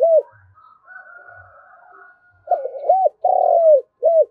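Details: Spotted dove calling to gather the flock: a cooing phrase of short rising-falling notes, one long drawn-out coo and a final short coo, preceded by faint soft chatter.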